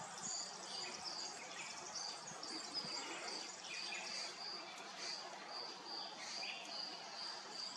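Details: European goldfinch singing: a run of high, clear, repeated notes at a steady pitch, mixed with busy twittering phrases, over a constant hiss of background noise.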